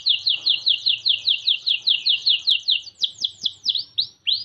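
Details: White Norwich canary delivering a rapid trill of identical chirping notes, about ten per second, that slows into longer downward-swooping whistles near the end, over a faint low background hum.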